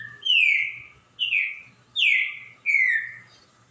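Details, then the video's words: Green-winged saltator song: loud, rich whistled phrases that each start high and slide downward, four phrases roughly one per second, with a low steady hum underneath. "#trincaFerro #CantoriaOqueQueEuFizMeuDeus"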